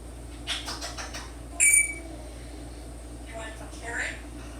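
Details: A 10-year-old male African grey parrot produces raspy, speech-like chatter, then a single clear, high whistle, then another burst of husky talking, indoors with a quiet room hum underneath.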